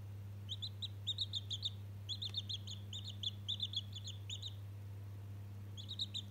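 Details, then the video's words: One-day-old domestic chick calling while interacting with a toy: bursts of rapid high peeps in quick groups of three to five, with pauses between, over a steady low electrical hum. "Разговорчивый цыплёнок ИЛИ общение с игрушкой"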